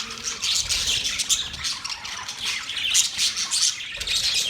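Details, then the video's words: Budgies produce a busy, high, buzzy chatter of quick chirps and harsh squawks that overlap constantly at a fairly even volume. "Beautiful parrot sound | budgies relaxing sound"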